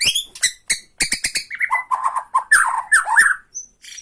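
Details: Bornean white-rumped shama giving a rattling tretekan song meant to provoke other shamas: a string of sharp clipped rattle notes, then rich slurred whistles and warbled phrases, ending with high thin notes.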